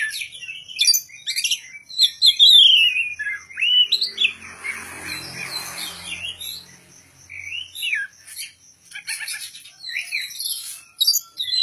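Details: Oriental magpie-robin (kacer) in contest-ready form: a long, varied song of clear descending whistles, twitters and rapid trills, with a brief low rustling noise in the middle.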